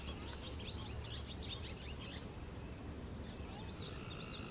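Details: Barn swallow twittering: quick bursts of squeaky, high chirps and trills over the first two seconds, then a second chattering run near the end, all over a steady low rumble of background noise.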